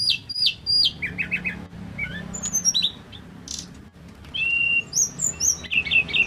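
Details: A male pygmy cupwing sings a varied, chattering sequence of thin high chirps and short whistled slurs, broken by brief gaps, then a louder run of bright notes near the end.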